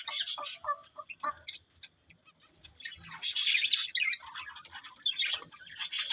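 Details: A breeding pair of colourful budgerigars opens with loud buzzy chatter. A quieter spell of scattered chirps follows, then another strong burst of harsh warbling and squeaky notes.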